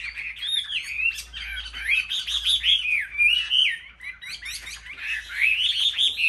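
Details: Competitive song of a caged Chinese hwamei from a Vietnamese market aviary: fast, varied whistles swooping up and down, with sharp trilled bursts and a dense chorus of other birds behind.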